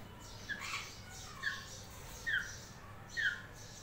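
A grey parrot gives short, squeaky chirps with quick upward slurs, roughly one a second, over a steady low background hum.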